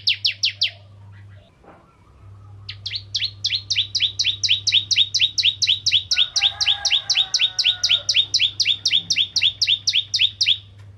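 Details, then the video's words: Bar-winged prinia of the crystal ('ciblek kristal') kind in energetic song, used to provoke other prinias: a short burst of notes, a pause, then a long, steady run of some forty bright, clipped, doubled notes, over a low hum. "Burung Ciblek Kristal Gacor Untuk Pancingan Burung Ciblek Semi Ciblek Gunung Dan Ciblek Kristal"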